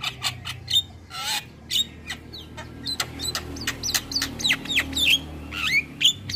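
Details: Varied starling song for training birds to sing: dense rapid chirps, clicks and short whistled slurs, some rising and some falling, delivered in quick bursts over a faint low musical hum.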